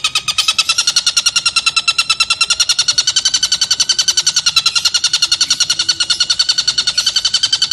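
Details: Stork-billed kingfisher giving its long 'ngekek' laughing call, used as a training recording for lovebirds to copy: a loud, harsh, rapid chatter of repeated notes, about three to four per second, running unbroken throughout.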